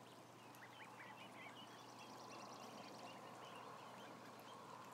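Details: Crowd of roughly 1,000 ducklings peeping continuously, with many thin upward-curving chirps layered together, a rapid buzzy series midway through, and a steady hum beneath.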